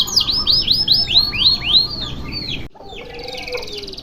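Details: Canary in a long single-breath song for tutoring: a row of about eight loud, arching downward-swooping whistles, then an abrupt cut to a softer, distant buzzy trill.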